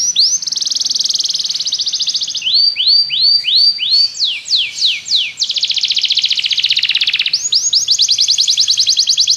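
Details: Song of a Belgian canary, played as training to get other canaries singing: a bright sustained trill, rising looping whistles, sharp downward sweeps, another dense buzzy roll, then a fresh rapid trill.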